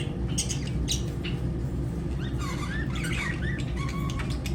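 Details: Lovebirds give short squawks and chirps with quick rising and falling whistled notes, mostly in the second half, over a steady low hum.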